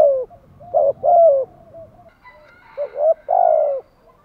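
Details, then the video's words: Spotted dove thúc gù (urging coo), two phrases: short firm coos building into a long sustained coo, with soft cooing between and a faint higher call in the background. "chim cu gay bai ban THÚC GÙ"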